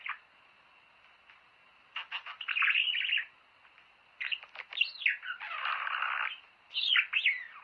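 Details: Budgerigar singing to encourage mating, heard in three chattering bursts of quick clicks, rising whistles and harsh buzzy squawks separated by short silences.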